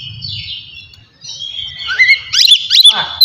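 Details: Oriental magpie-robin singing to spur emotion and breeding urge: soft high warbles at first, then a loud burst of rising whistles and sharp twittering notes toward the end, with faint low rumbling throughout.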